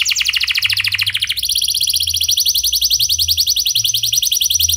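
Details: Canary in clear rolling song meant to set other canaries singing: a fast high trill, then a sudden switch to an even quicker, steady buzzing roll held to the end.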